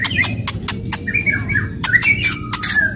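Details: Aggressive White-rumped shama song meant to stir other shamas, with rapid loud clicks alternating with brief warbled whistles near the middle, all over a constant low background drone.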